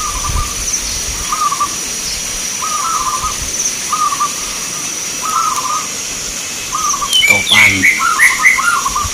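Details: Competing local zebra doves at a Grabag, Magelang, Indonesia contest give short, soft coo bursts at a steady pace; near the end, sharper, higher chirps from another bird cut in along with a clatter.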